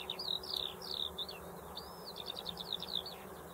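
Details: Eurasian skylark singing a fast, high, bubbling run of chirps and rolling trills without a break, steady background hum beneath.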